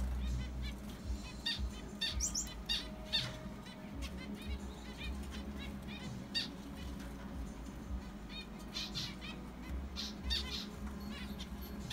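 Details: Two pairs of pet zebra finches that have laid eggs in their enclosure give short, nasal beeping chirps at an irregular pace, several birds overlapping, over a steady low rumbling hum with some wing fluttering.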